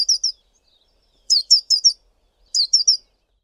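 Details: Male Collared Sunbird uttering brief groups of three or four thin, high, sharply accented chips, with short silent gaps between groups.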